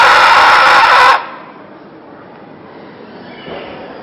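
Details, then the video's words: A scarlet macaw gives one loud, harsh, raspy scream lasting about a second, then near silence with a faint softer sound toward the end. "Scarlet Macaw talking screaming"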